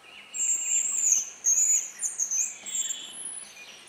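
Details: Hazel grouse at a spring lek in Russia, giving very high, thin whistles: long drawn-out notes that break into short wavering pieces, repeated over a few seconds against a quiet background.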